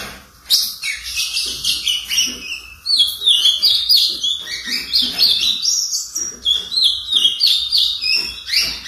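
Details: Brown four-month-old ultramarine grosbeak sounding its first song notes: after a short pause, a lively, uneven chatter of sharp chirps and bent whistles runs on steadily, roughly three notes each second.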